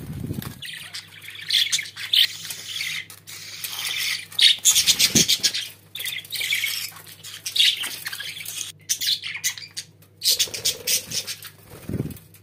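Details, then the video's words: Pet budgerigars warbling continuously in rapid, rattling chatter and bright chirped notes, with brief pauses and a few low thumps; steady low hum in the background. "Muhabbet Kuşlarınız Bu Sese Bayılacak & Ötme Garanti"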